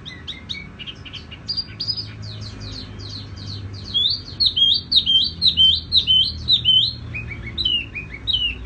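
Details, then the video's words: Tiểu mi songbird song. Rapid high chirps build into loud, clear, repeated down-slurred whistles, roughly two per second, with brief pauses between bursts. "Chim tiểu mi hót tiếng vang dịu"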